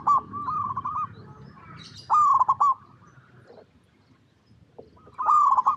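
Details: Local zebra dove cooing to lure other doves to sing: three bubbly trilled coo phrases separated by quiet pauses, with a brief higher chirp midway and soft low background noise.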